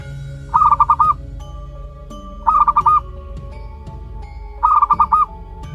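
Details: Zebra dove chick one month of age, of local wild origin: three rattling bursts of rapid even notes, each lasting about half a second and coming roughly every two seconds, with music beneath.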